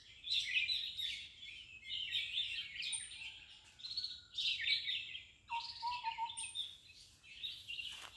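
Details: Red-vented bulbul feeding its young: repeated bursts of shrill, buzzy chirping roughly every one to two seconds, mixed with a brief lower whistled note.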